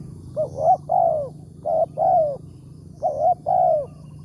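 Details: Spotted dove, a wild bird targeted for trapping with a lure in the morning, described as having a big 'tarik akar' voice: three coo phrases, each a quick doubled note then a longer falling coo, over a steady low rumble.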